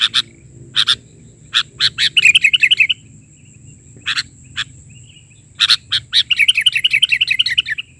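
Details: Sooty-headed bulbul singing hard, 'isian' filler style, 'bahari' version. Clusters of sharp clicking chips lead into two rapid bubbling trilled phrases, with a faint constant high tone in the background.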